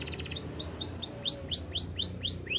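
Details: Spanish Timbrado canary producing a string of rising-then-falling arched whistled notes, roughly four each second, over faint background hum.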